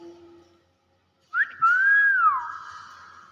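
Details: Common hill myna (beo) giving its natural voice: after a short quiet pause, one loud slurred whistle that jumps up, then glides smoothly down and holds as a steady tone, with a person's greeting nearby.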